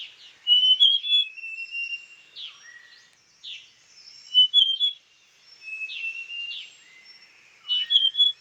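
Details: A female large niltava at Doi Inthanon, Chiang Mai, Thailand, gives clear, high whistled phrases of a few slurred notes each. The phrases repeat every couple of seconds in a quiet setting.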